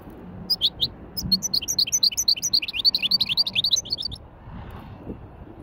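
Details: Goldfinch hybrid in light Wedani-style song: a rapid, rhythmic stream of bright, high chirps repeated about four times a second for roughly three and a half seconds, then fading out amid low room noise.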